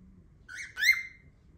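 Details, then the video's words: Cockatiel giving a single short harmonic whistled call that rises then dips, under a second long, with a quiet background. "Cocktails makes loud noises"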